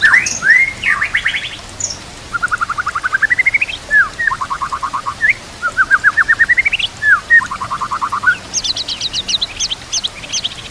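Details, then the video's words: Tutor song of a white-rumped shama, used to train other shamas and to lure them, with added trickling water: clear whistles followed by rapid evenly spaced trilled bursts, some rising in pitch, then high thin trills. "Murai Batu Full Gacor Murai macet langsung Gacor Masteran Murai"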